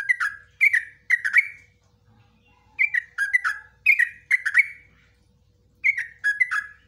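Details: Yellow-vented bulbul giving ropelan song, with nguklik and ngecruk notes, for training other bulbuls. Groups of two to four rapid, liquid, downslurred chirps repeat with short pauses between them.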